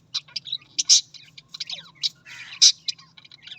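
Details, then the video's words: Australian parrots chattering in quick bursts of high, scratchy chirps and short whistled notes, with one brighter squeak near the middle, over a steady low mechanical hum. "Australian parrot voice"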